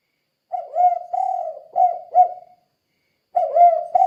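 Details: Spotted dove giving a lively 'kuk 2' call meant to provoke other doves into calling: a chain of four hollow coos with sharp accented notes, a short break, then more coos. The recording is clean.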